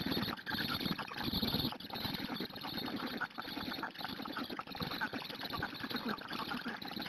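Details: Black stork chicks begging while being fed at a nest in Hungary, recorded 4 June 2017 shortly after 13:00 by a live nest camera; harsh, hissing broadband chatter in rapid pulses, swelling and fading, over a steady high electronic whine.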